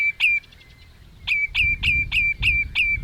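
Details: Common redshank at Ochsenmoor, Hüde, 27 May 2018 at 07:10, giving loud, ringing piping notes: one single note, then a rapid run of about three per second, each sharp and slightly falling, over low wind rumble.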